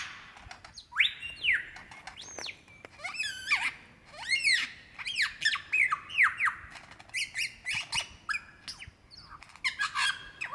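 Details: Male lyrebird calling for a female to mate in Dandenong Ranges National Park, Victoria, Australia, February 2016; a rich run of loud arching whistles, sweeping up-and-down slurs and sharp clicks, delivered in quick bursts with brief pauses, part of a mimicking repertoire.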